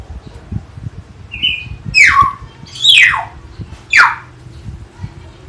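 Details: Hill myna (beo, tiong emas) in Jatiasih, Bekasi, vocal and chatty: a short flat whistle, then three loud raspy descending squawks roughly one second apart, with soft low thumps beneath.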